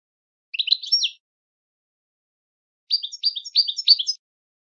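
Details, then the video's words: European goldfinch song meant to teach birds to sing; a brief twittering burst, a pause of nearly two seconds, then a quick series of bright, descending tinkling notes lasting over a second. "goldfinch singing training your goldfinch to sing on command"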